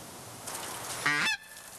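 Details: A goose flying high on a clear, sunny day during a waterfowl hunt gives a single nasal, harmonic honk, about a quarter-second long and ending in a brief downward slur, over faint background hiss.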